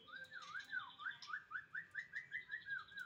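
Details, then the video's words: White-rumped shama song: a steady run of clear whistled notes, each sliding up then down, repeated about four times a second with slight changes, over a faint hiss. "kicau ku"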